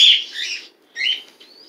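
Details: Pet bird in a cat-sharing household, whose chick was born December 12th 2018; one loud scratchy squawk, a shorter second call, then a faint thin whistle.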